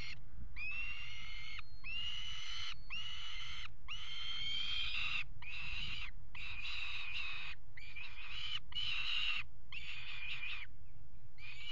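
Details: Peregrine falcons mating on the ledge of a water tower nest box, 5 February 2018: a long run of harsh, nasal wailing calls, each about half a second, repeated almost every second over constant low hum.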